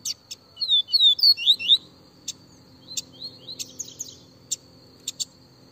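A Double-collared Seedeater gives a quick burst of high, sliding whistled notes, then scattered sharp chips, over a thin steady high whine.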